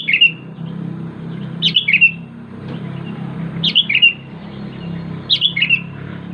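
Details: Calling to its companions, a sooty-headed bulbul repeats a short chirpy phrase of three falling notes about every one and a half seconds against a noisy, rumbling background.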